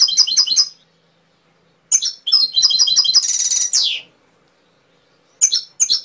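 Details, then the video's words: Canary singing in bursts: quick repeated chirp phrases, a buzzy rising rattle lasting nearly a second, short pauses of silence between phrases, and more sharp high notes at the close. "KENARI SUPER!!! HANYA UNTUK PECINTA BURUNG KENARI YANG TULEN"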